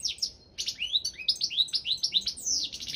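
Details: European goldfinch of the balcanica subspecies, entered in an online world song championship: a lively run of bright, descending slurred whistles and fast tinkling twitters, almost unbroken after a brief opening pause.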